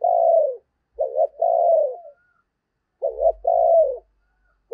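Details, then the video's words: Spotted dove decoy calling to lure wild doves at Tet, giving a long falling coo then two phrases of a doubled wavering note and an extended descending coo, a faint low hum beneath. "Tiếng Chim Cu Mồi Thúc Gù Cực Hay và Hắp Dẫn Để Anh Em Kích Bổi Mùa Tết"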